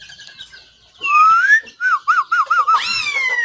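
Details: White-rumped shama song from 17 April 2024: a long, pure, rising whistle, then a run of five quick undulating looped notes, closing with a bright downward-sweeping whistle over faint background hum.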